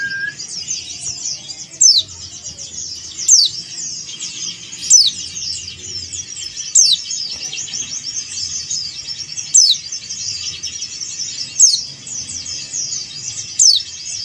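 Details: Male Oriental white-eye of the yellow-breasted Bali type (dakun bali) calling a rival. Eight sharp, very high notes slide steeply downward, one every one and a half to two seconds, over a continuous dense high twittering chatter.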